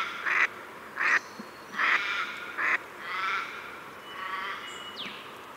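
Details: Several rough quacks from a Pacific black duck, irregularly spaced, then softer, drawn-out nasal calls and a brief high whistle in the background.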